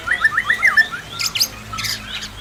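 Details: White-rumped shama pair kept in an aviary: a quick string of wavering whistles, then two harsh high bursts and fainter trailing notes.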